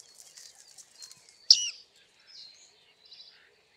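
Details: Bearded reedling on a very foggy day, filmed with a Panasonic G9 and 100-400 lens; soft high twittering, then one loud, sharp metallic ping that bends downward, followed by a few quieter high notes.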